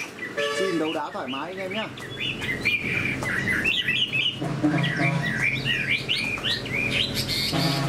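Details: Pet Chinese hwamei with a spread tail, valued as a fighter. Low harmonic sounds open the recording, then quick whistled phrases rise and fall, with a buzzy burst at the end.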